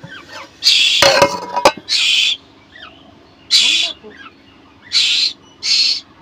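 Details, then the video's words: Hungry koel chick calling for food: several harsh screeching bursts at uneven gaps, with a sharp handling clatter near the start and a man's quiet Bengali speech. "ক্ষুধার্ত কোকিল পাখির বাচ্চা"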